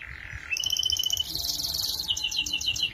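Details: Canary song for tutoring young birds: a low steady whistle jumps into a long, very high rapid roll, then breaks into quick separate tweets toward the end.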